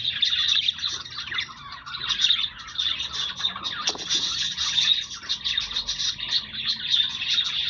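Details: Pet budgerigars chattering together: a dense, unbroken stream of high warbles, squeaks and chirps from several birds, continuous throughout with no pauses.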